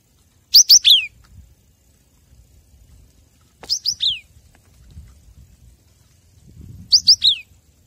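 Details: Cinereous tit (gelatik batu) song used as a master recording to train captive birds: three bursts of three or four high, sharp, descending whistled notes, repeated about every three seconds over a quiet low rumble.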